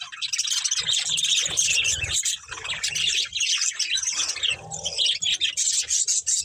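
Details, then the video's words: A budgerigar breeding pair and family give dense, high warbling chatter, rapid overlapping chirps running nearly unbroken. "Beautiful Budgies Chirping Sounds"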